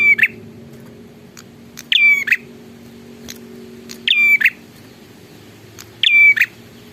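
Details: Prinia in full, lively voice repeating a loud phrase about every two seconds, four times in all. Each phrase is a harsh buzzy start, a level high whistle and a rasping close, with soft clicks and a low background hum between.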